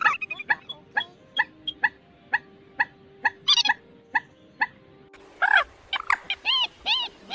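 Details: Waterhen calls used as a lure for night net trapping in the August 2024 migration season. Sharp, clipped notes repeat about twice a second, then give way to louder, nasal, arched calls stacked in harmonics.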